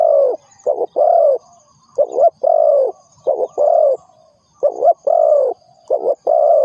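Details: Spotted dove calling as a lure for trapping: paired mellow coos, a short note followed by a longer, fuller one, repeated four times with brief pauses between phrases; a faint steady high hiss in the background.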